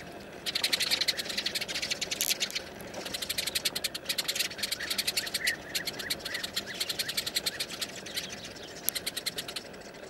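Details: Sparrows frightened by a snake approaching their colony of hole nests. Loud, rapid, harsh chattering notes repeat several times a second in long runs, with many birds calling together.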